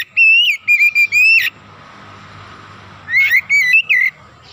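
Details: Energetic Oriental magpie-robin song used as a fast lure to excite other birds: a quick burst of loud ringing whistles, about a second and a half of faint background hiss, then another whistled series.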